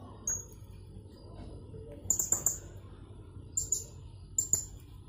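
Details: Blue-crowned hanging parrot, a caged bird from Jungkat in West Kalimantan entered in an online song contest, gives one thin squeak, then three clusters of two or three rapid piercing high notes.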